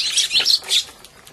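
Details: A few quick, sharp chirps from sparrows bickering over food in February 2011, rising and falling, then fading into a faint flutter.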